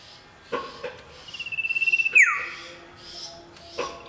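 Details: Male common iora calling a female, with a drawn-out high whistle that pulses slightly, then drops steeply into a falling slur. Soft clicks come before and after it.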